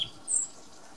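A European robin gives a brief song fragment: a short clipped note, then a thin, very high, drawn-out whistle against quiet background hiss.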